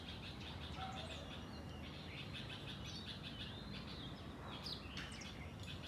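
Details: A flock of house sparrows in a garden chirping. Short, bright chirps overlap in a busy, steady chatter against a constant low background rumble.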